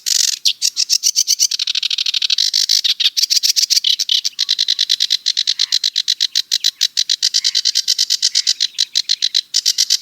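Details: Sedge warbler song as a sustained, grating chatter: dense strings of harsh, buzzy notes, shifting pitch and texture now and then, run on continuously for about ten seconds.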